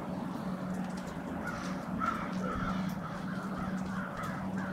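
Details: Winter staging flock of crows gathered on Washington Street in Brattleboro, Vermont, on 16 February 2021: many harsh caws overlap in quick succession, rising and falling, above a constant low engine hum.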